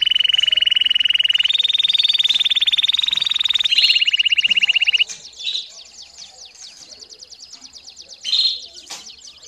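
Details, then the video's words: Canary song used to train young birds: long rapid trills stepping up in pitch, then dropping, followed by soft twittering and one short louder note. "CANÁRIO DO REINO CANTANDO E CHAMANDO ÓTIMO TREINO PARA FILHOTES!!!"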